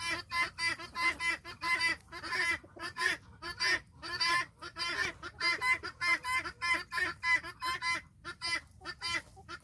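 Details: Flock of domestic guineafowl following a hen, calling in a loud, harsh, rhythmic chorus of grating two-part notes, repeated steadily several times per second with brief gaps between bursts.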